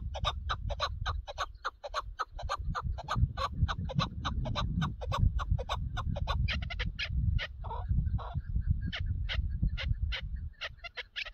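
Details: Chukar partridge from partridge hunting, calling a long, dense stream of rapid clucking notes with brief pauses, partly masked by persistent loud low-pitched background noise.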